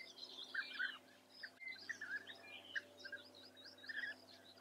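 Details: European bee-eater calls recorded in Germany's Eifel region: short purring notes in small clusters, a few per second, over a background of high twittering birdsong.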